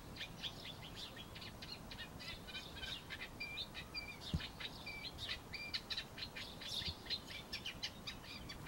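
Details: A Eurasian reed warbler in a laurel delivers a long, unbroken chattering song: jerky, repetitive scratchy notes, some doubled or tripled, mixed with short clear whistles, and one faint low thump midway.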